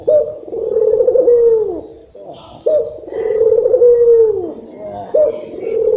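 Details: Barbary dove, local Indonesian type called puter lokal, cooing as a lure to stimulate other doves. Steady repeated low coos, each a trembling drawn-out note ending in a downward slide, about every two and a half seconds, recorded indoors.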